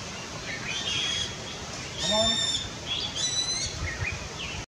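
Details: A female Mauritius kestrel at Vallée de Ferney, Mauritius, on 12/9/19, gives two drawn-out, high, slightly nasal notes about a second apart, among scattered thin chirps and steady background hiss.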